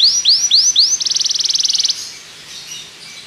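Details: Belgian canary song for training other canaries: four rising upswept whistles, then a fast, even buzzing trill lasting about a second, followed by quieter fading notes.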